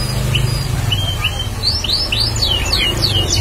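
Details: Bar-winged prinia singing actively, a bird being prepared as a lure bird; short, upslurred chirps and downward-sweeping whistled notes, repeated and growing denser toward the end, over a steady low background hum.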